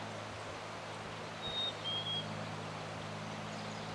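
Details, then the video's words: Male Black-capped Chickadee singing on May 9, 2020, South Mesa Trail, Eldorado Springs, Colorado: one clear, pure whistled fee-bee, the second note slightly lower, over a steady low mechanical hum. "Black Capped Chickadee Male Singing"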